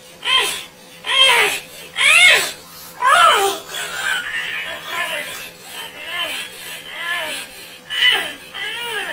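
A parrot gives wailing, child-like cries that rise and fall, about one each second, with softer whimpering notes between the louder sobs.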